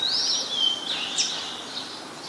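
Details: Thin high wavering whistle of a Brown-throated sunbird in Ubon Ratchathani, Thailand, 5 February 2020, starting with a rising glide, dipping, then climbing again, with one sharp tick in the middle.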